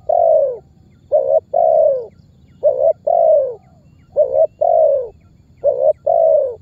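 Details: Spotted dove pressing and calling lure that prompts other birds to answer. Steady paired notes: a short coo, then a longer descending one. Five pairs about every 1.5 seconds, loud and clear over faint low hum.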